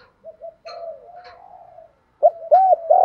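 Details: Captive spotted dove in the local-voice style, played to train young birds: soft drawn-out coo, a pause, then three loud arched coos rising at the end.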